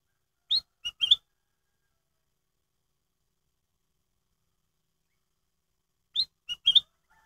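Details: Black-headed bulbul, crystal-clear lure song used to prompt other bulbuls to sing: two brief three-note phrases about five seconds apart, each a rising whistle, a short lower note, then a warbled slurred note, with silence between.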